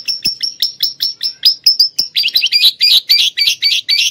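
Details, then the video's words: Canary tutored on lovebird song giving rhythmic sharp high chips about five per second, shifting into rounded burry chirps repeated at a similar fast pace. "kenari isian love bird"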